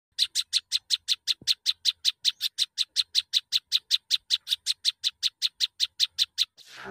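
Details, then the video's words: Prinia singing a long, steady series of short, sharp, high chipping notes, about four each second, evenly spaced and unchanging in pitch, ending with a brief burst of rustling noise. "burung peranjak unik dan gacor"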